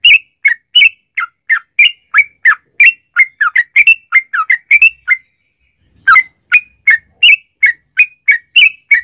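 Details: Yellow-vented bulbul singing a long rapid 'ropel' style song used as a lure to make other bulbuls sing: a run of short bubbly chirping notes, pausing about a second midway, then resuming.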